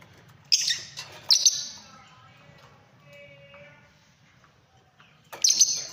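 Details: Fischer's lovebirds sing with sudden piercing high chirps, two close together and a longer burst near the end, with a soft tonal warble in the quiet middle.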